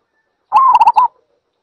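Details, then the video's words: Zebra dove giving one short cooing phrase: a held, slightly wavering mid-pitched coo that breaks into three quick staccato notes, about half a second long, on a silent background. "សំលេងលលកដី Zebra Dove"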